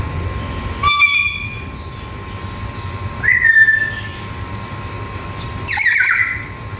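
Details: Black-capped lory, a bird said to be able to talk, giving three loud calls spaced about two to three seconds apart: a whistled note with bright overtones, a rising then level tone, and a harsh broadband screech, over a steady electrical hum.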